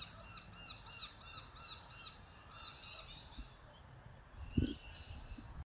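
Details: An Australian magpie of subspecies G. tibicen telonocua gives a quick run of rich, ringing, arched notes for three seconds, then softer calls, with a brief low thump and steady outdoor background.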